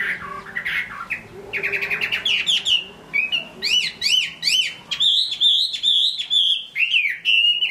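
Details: Chinese hwamei from Hải Phòng in strong song: loud, clear whistled phrases, rapid rising-and-falling notes repeated in quick series, then sustained warbling trills near the end, over a quiet background.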